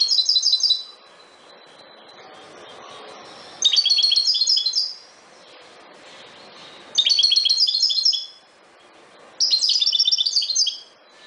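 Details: European goldfinch of the subspecies Carduelis carduelis parva singing: four bright, tinkling bursts of rapid high twittering, each about a second long, separated by pauses of two to three seconds over a soft steady background hiss.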